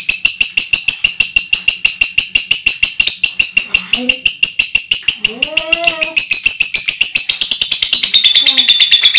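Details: Loud ngekek from a lovebird, a tutor recording used to train other birds: a fast, unbroken run of sharp, rasping high notes, roughly three a second, with a few short, low, rising-and-falling voice-like sounds mixed in.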